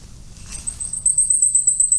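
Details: Blackpoll Warbler, a common spring migrant that is very uncommon in fall because it migrates over the Atlantic, giving a very thin, high song: a rapid string of tiny ticking notes beginning after half a second and swelling louder to the end.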